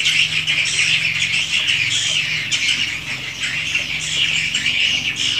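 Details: Unedited swiftlet house recording: an unbroken, dense chorus of high, buzzy twittering and chattering from many swiftlets, even in loudness throughout, with a faint low hum underneath.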